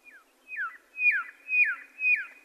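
Red-lored whistler giving a run of five clear, descending whistled notes, about two per second, each sliding down from high to mid pitch; nothing else is heard.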